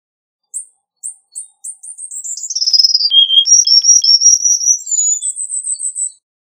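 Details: Cuban bullfinch song opening with spaced high chips that speed into a descending buzzy trill, dipping to a low whistle, then climbing through rising buzzy notes to a high trill.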